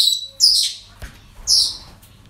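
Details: Parrot calls recorded at a breeding centre: two harsh, high screeches, each under half a second and about a second apart, with a faint click between them.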